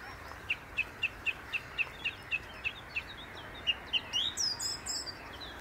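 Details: From a treetop near the Inn River, a song thrush repeats one short clear note about a dozen times in steady rhythm, then switches to a few higher, more varied rising phrases.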